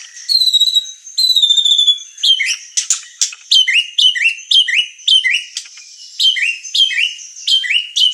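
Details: White-rumped shama song for provoking and teaching birds: two clear high whistles, then a series of sharp upslurred notes repeated roughly every half second.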